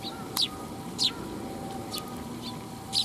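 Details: Eurasian tree sparrows visiting a Tenmangu shrine to be fed, 12 July 2021; a handful of spaced, sharp chirps roughly every half second to second, over quiet hum.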